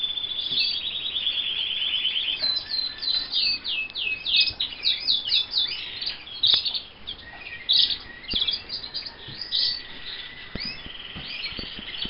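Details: In a Montana canary breeder's aviary, a roller canary opens with a fast high trill, then breaks into varied chirps, clipped notes and short rolls with brief gaps, ending in another sustained trill; faint room noise throughout.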